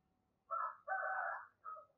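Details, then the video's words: Spotted dove used as a lure for wild doves, giving a quiet cooing phrase. A short note leads into a long, rough, rolling coo, then a brief closing note, with low hum beneath. "tiếng chim cu gáy mồi gáy gọi chuẩn kích bổi hiệu quả"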